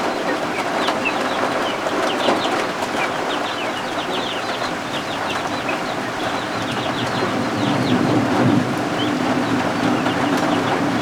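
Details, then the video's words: Freshly hatched guinea fowl keets under a heat lamp peep constantly: quick, high, slurred chirps from several chicks in a dense chatter, set against continuous rain and storm noise. "Our Homestead got Baby Guinea Fowl"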